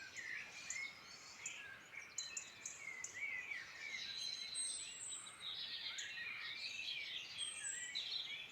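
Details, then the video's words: Birdsong chorus recorded in the Irish Midlands: many birds overlapping, busy high twittering and whistles, with brief thin very high notes, steady and continuous. "Beautiful birdsong in Ireland Midland"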